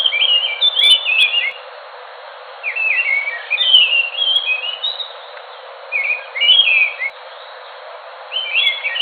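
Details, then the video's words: Enggano thrush from Indonesia's Enggano island giving four separate bursts of warbled, whistled notes, each about a second long, with quiet gaps of one to two seconds between them. "Anis nusa tenggara (anis macan )suara asli bikin ngotot bunyi"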